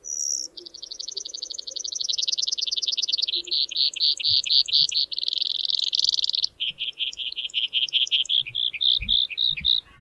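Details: Male Brewer's Sparrow on Colorado's alpine tundra in summer gives a long song, a type typically used in aggressive interactions: a sustained, high canary-like series of buzzy trills and rapid chips shifting in speed and pitch for ten seconds, with faint low rumble.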